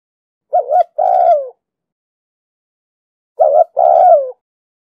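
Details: A female spotted dove coos to excite males in the chiêu-thúc-gù pattern. Two phrases sit nearly three seconds apart, each opening with a short doubled note and ending in a drawn-out coo that slides downward. No other sounds.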